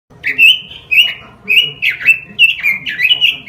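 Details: Song of a robin from a tutor track meant to train caged birds: short clear whistled phrases, some rising and some dropping, spaced about half a second apart and growing busier toward the end.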